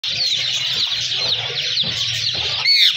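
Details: Pet ringneck parrot giving a steady stream of harsh, high-pitched chatter and screeches, ending in a loud squawk that falls in pitch; a low hum runs underneath.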